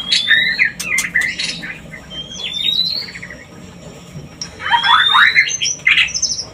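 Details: White-rumped shama song played as a lure to bring birds into mating condition: loud, varied phrases of high rising whistles, clipped chattering notes and rapid buzzy bursts, with a quieter gap mid-clip before another rich burst.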